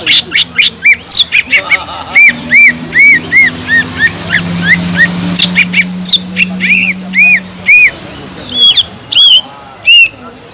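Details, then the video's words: Cucak ijo lure song meant to arouse other leafbirds: a steady chain of rounded whistled arcs, then sharper squeaky notes and clicks, over a low droning hum. "PANCINGAN CUCAK IJO GACOR INI SANGAT EFEKTIF BUAT CUCAK IJO KURANG EMOSI"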